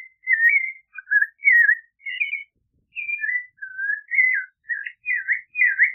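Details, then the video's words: Clay-colored thrush delivering a continuous series of short whistled phrases, twisting up and down, somewhat lower and mellower, about two phrases per second. "Clay-colored Thrush Singing! Clay-colored Thrush Calling! Sound! - Zorzal Pardo Canto - Turdus Grayi"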